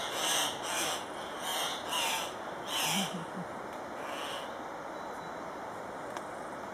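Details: Andean cock-of-the-rock at a lek at Paz de las Aves, Ecuador: harsh, noisy squawks in loose bursts, about five spread over four seconds, then quieter; steady background hiss.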